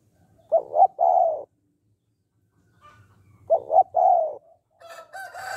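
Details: Two spotted dove coo phrases in "hạp bổi" style, about three seconds apart, meant to stimulate males to call quickly: double short note then a long husky coo. A brief harsh, higher call cuts in at the end.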